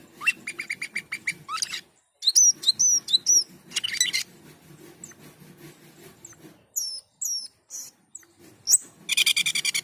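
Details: Asian pied starling in full song: quick rattling notes, looping whistled slurs, then scattered high squeaks and a closing dense buzzy trill, with a low background hum throughout.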